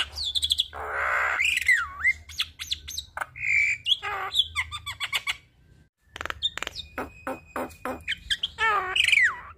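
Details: Javan myna giving a busy training song for other starlings: loud swooping whistles, rasping bursts and rapid clicks, a brief pause near the middle, then more whistles and clicks, with a low hum throughout.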